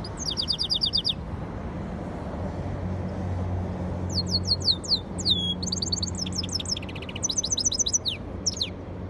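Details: Song of a yellow-fronted canary crossed with a canary: rapid rattling trill of high downslurred notes, a pause, then varied twittering phrases with sharp descending notes, a long rising whistle and quick trills, low background hum.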